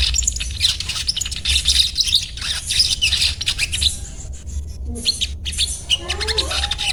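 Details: Little spiderhunter (sogon) giving dense, high-pitched chattering notes in fast scratchy bursts, fading into quieter, sparser chips near the end, with a low steady hum underneath.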